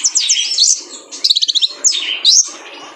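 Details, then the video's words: Male kolibri ninja sunbird, recorded as training material to get caged birds singing: high, thin chirps and rapid buzzy trills, several short bursts with brief gaps, some notes sliding steeply down. "PANCINGAN KONIN JANTAN BIAR GACOR FULL MATERI MELATIH BURUNG KOLIBRI NINJA"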